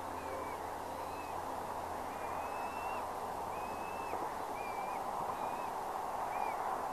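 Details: Bald eagles at a Redding nest during an evening feeding on April 18, 2021, the adult male bringing fresh food to a chick; thin, high whistled chirps, slightly rising then falling, in a loose series of seven over steady broadband hiss.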